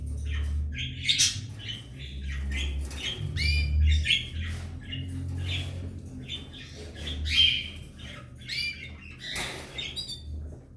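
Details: Belgian canaries, a pair with three nestlings: dense, overlapping scratchy chirps and squeaks almost without pause, over a strong low rumbling hum.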